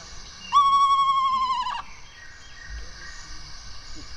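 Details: A recorded Eastern Screech-Owl trill, played aloud at an indoor live-owl program, is a single even, quavering trill held on one mid pitch for about a second, then fading out over quiet room noise.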